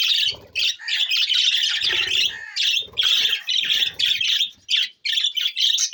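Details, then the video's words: Budgies on June 20, 2024 keep up loud, nearly unbroken squawky warbling, harsh chirps jostling together, with light rustling thumps underneath. "Budgies Parrot so Bueatiful sounds"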